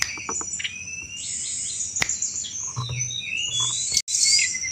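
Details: Sunda robin delivering cetrekan chatter, used as a lure for thrushes: busy high whistles and twisting slurred notes with sharp clicks and a brief dropout before a loud final burst.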